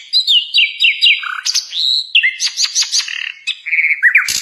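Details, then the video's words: Common nightingale (Luscinia megarhynchos), known locally as sikatan londo, singing a loud varied song: a run of repeated downslurred whistles, a low note, then a long whistle and a quick series of sharp notes and trills. "KICOAN MERDU BURUNG SIKATAN LONDO"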